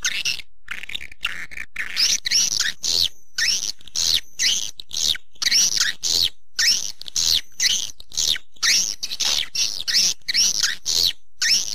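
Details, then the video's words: Swiftlet attraction call: rapid high chirps grouped in short bursts, about one burst per half second, repeated steadily and evenly. "suara panggil burung walet"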